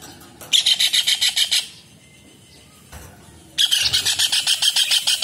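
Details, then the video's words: Kingfisher (tengkek udang) calling vigorously, used as a tutor sound for songbirds. Gives two separate bursts of harsh, rapid chattering, each about a dozen notes, with a silent pause between them. "TENGKEK UDANG / CEKAKAK GACOR / RAJA UDANG Masteran UNIK"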